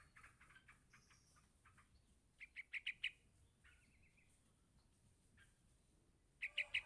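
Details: Begging yellow-vented bulbul chick heard with faint scattered chirps, then a clearer run of four loud high notes, a short buzzy trill, and a final burst of three chirps.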